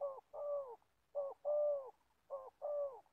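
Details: Caged old spotted dove used as a trapping decoy in Gia Lai, Vietnam, calling in soft, hollow coos: three pairs of a clipped note leading into a longer, slightly falling coo, evenly spaced.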